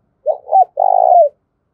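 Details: A spotted dove kept as a lure calls to entice wild doves to respond. Two short soft notes lead into a long, steady, faintly vibrating coo that trails downward.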